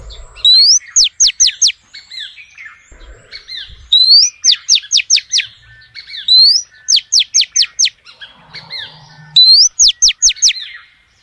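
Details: Female oriental magpie-robin calling males, repeated about four times: each phrase opens with an upslurred whistle and runs into four or five quick, sharply falling notes, loud and crisp against a quiet background.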